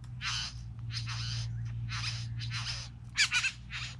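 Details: Hissing, grating bursts from a group of three bowerbirds, repeated roughly every half second, with one louder, more ringing, tonal burst near the end; a low steady hum runs throughout.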